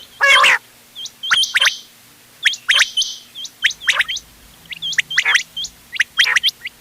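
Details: Quail calls for hunting, 31 October 2025, mixing ghonge wal, doghla and changa birds: one loud raspy burst opens, then sparse thin hooked chirps and brief sharp notes with quiet gaps.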